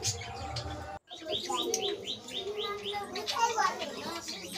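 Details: Colony budgerigars during their mating period, after thirteen eggs were laid; after a brief cut, a run of rapid high chirps follows, then mixed warbling chatter with faint background noise.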